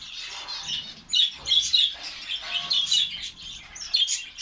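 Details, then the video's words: Saudi Arabian finch colony: clear high chirps and short squeaky twitters from several birds, louder peaks after the first second, over a quieter background chatter. "fince birds colony ফিঞ্চ পাখির কলোনি"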